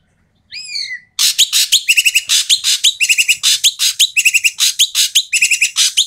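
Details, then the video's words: Loud, rough Asian pied starling calls used as a lure for quiet starlings: a single slurred descending whistle, then a long run of fast grating, buzzy chatter notes. "BURUNG EKEK KELING BERISIK SUARA KERAS DAN KASAR COCOK UNTUK PANCINGAN BURUNG EKEK MALAS BUNYI"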